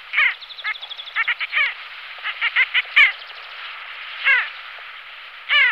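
Pin-tailed sandgrouse giving harsh, nasal, downslurred calls, several birds overlapping in irregular bursts, with a steady hiss of background noise.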